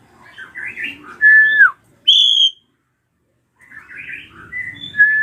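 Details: Ashy drongo screaming as a lure for young birds: warbled chatter rising into a level whistle that falls at the end, one high piercing note, a pause, then more chatter and a whistle.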